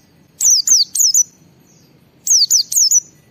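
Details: Lively ngalas-style white-eye song meant to set other white-eyes singing: two bursts of three or four very high, rapidly descending whistled notes, separated by a pause of about two seconds.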